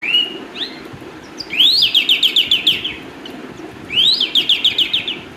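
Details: Calandra lark singing: a short high whistle, then two bursts of fast, repeated chirping notes, each rising sharply before tumbling in quick bright pulses, separated by a brief pause, over a low steady background hum.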